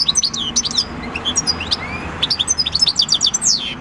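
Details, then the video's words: Six-year-old wild-caught goldfinch in song on 26 December 2019, its field-type delivery a rapid mix of high liquid twitters, short upward whistles and thin tinkling notes, with a quieter middle stretch. "Chant du chardonneret / Goldfinch song"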